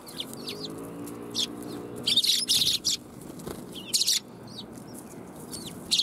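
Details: Sparrows gather to be fed at a Tenmangu shrine, 1 January 2021, chattering in bright, clipped chirps and dense bursts. A low, droning tonal sound is heard near the start.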